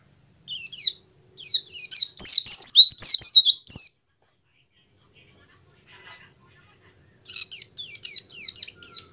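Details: Oriental white-eye singing with an open beak to stimulate other white-eyes to join in: two bursts of rapid, high, thin chirping notes, each slurred up or down, with a quiet gap between them and a faint steady high tone throughout.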